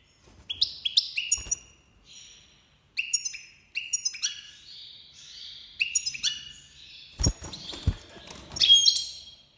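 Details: Major goldfinch from Iran, breeding season 2022: lively twittering song of quick chirps, liquid tinkling notes and short buzzy trills in clustered phrases, a few low knocks near the end.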